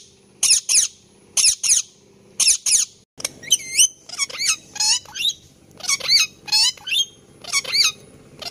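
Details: Indian ringneck parakeet chirping angrily: sharp, harsh high squawks in short bursts, first paired notes then a rapid run of shrill twisting calls roughly every half second, with a faint low hum behind.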